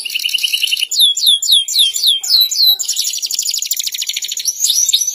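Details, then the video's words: Gacor canary in loud, continuous song: opens with a high rattling trill, moves into a run of quick rising and falling whistled sweeps, then rolls on into rapid, dense trills. "Kenari gacor jaman N0w l CANARY BIRD SINGING"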